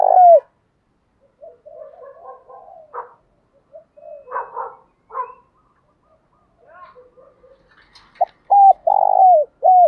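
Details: Spotted dove cooing, used as a lure to stimulate male doves to call; loud low hooting coo phrases open and close the recording, with softer scattered notes and rustling in between.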